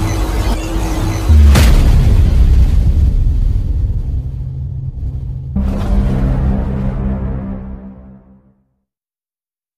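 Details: Loud, dark music with a deep rumbling drone and a hit, fading to silence near the end.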